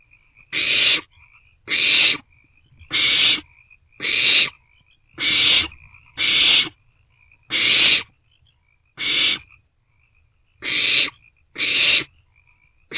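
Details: Barn owlets in a nest box at night, 1:47-2:06 am on 27 March 2024, sharing a vole meal; harsh broadband hissing screeches about half a second long, repeated roughly every second, eleven in sequence, with faint chittering between.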